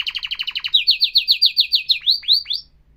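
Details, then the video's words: Professional canary song with a run of fast repeated downslurred notes that slow into looping whistled sweeps, then stop abruptly. "تغريد كناري احترافي"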